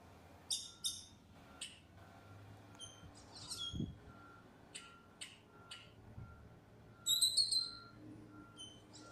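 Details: A lost black bird calling, a display the bird's keeper finds very smart: scattered sharp high chirps and harsh squawks at irregular intervals, ending in a loud buzzy burst, over a steady faint electrical hum.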